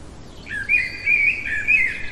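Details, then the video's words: Common blackbird singing deep in the night: a brief fluted phrase of three rising-and-falling warbled notes, clear against a quiet hiss. "Merle chantant au cœur de la nuit"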